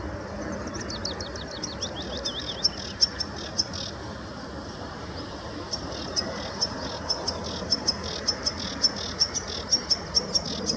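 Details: High song of a sedge warbler at De Hoge Dijk near Amsterdam, the Netherlands, 11 April 2017. It opens with a run of quick descending sweeps, then goes on as a long, irregular series of sharp, ticking notes.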